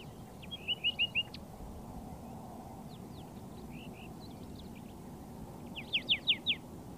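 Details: Pair of Layard's warblers (tit-babblers) foraging together in bushes on a dry Karoo farm near Hanover, Northern Cape, singing softly to each other: two quick bursts of four or five sharp, high notes, early and late, with a steady low background hiss.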